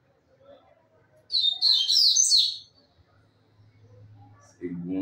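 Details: Rusty-collared seedeater, a kept singing bird from Brazil, giving a brief burst of bright, high twittering song lasting about a second and a half, followed by quiet and a low human voice.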